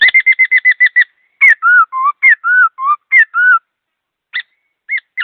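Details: A laughingthrush sings fast with clear notes. A rapid stutter of about eight identical short whistles leads into alternating dipping slurs, then a few isolated sharp notes.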